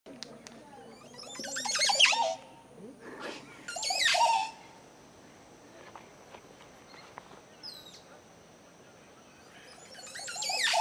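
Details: Male Montezuma oropendolas in mating display at Tikal, Guatemala, give three loud outbursts of gurgling, liquid song about two to six seconds apart, over a steady high insect whine and a soft background.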